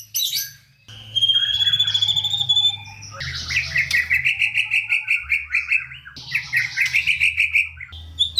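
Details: Energetic White-rumped shama with a song full of varied phrases, played to prompt reluctant shamas to sing: a sustained high whistle, then long, fast trilled series of notes broken by short pauses.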